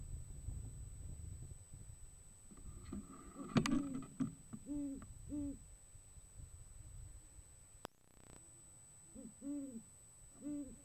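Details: In January, a male great horned owl courting a female gives deep, soft hoots in short, stuttered runs, over a low rumble of wind and a brief sharp click.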